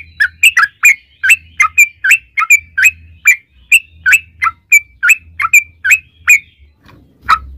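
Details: Yellow-vented bulbul giving a long rapid 'ropel' song, used as a lure to make other bulbuls sing: bright chirpy notes dropping and rising, about three per second, over a faint low hum, ending after a short pause with one more note.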